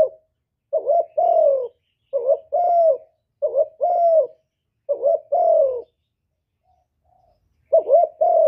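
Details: Spotted dove, a kept bird, giving a full song of calling, urging and cooing meant to stir other doves; clean low coos in repeated paired phrases, a short note then a longer falling coo, about every second, with a brief pause near the end.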